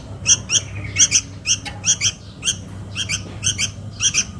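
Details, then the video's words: Young sooty-headed bulbul calling for its mother, a lure recording: sharp squeaky double notes, bright and grating, given about every half second with short gaps between. "SUARA PIKAT // ANAK KUTILANG MEMANGGIL INDUKNYA"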